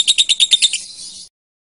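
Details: Brief lovebird burst used in contest-training recordings: six or seven quick shrill chirps fading into a short buzzy trail, then silence.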